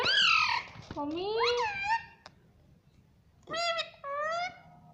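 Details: Talking parrot saying mummy in a run of voiced, slurred syllables: a loud opening note, a rising and falling phrase, a pause, then two more clear syllables; low background hum throughout.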